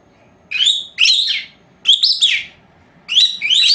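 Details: Indoor pet lovebirds, two females only four months old, calling during their siesta: loud rising and falling whistled chirps in paired bursts, three groups in under four seconds.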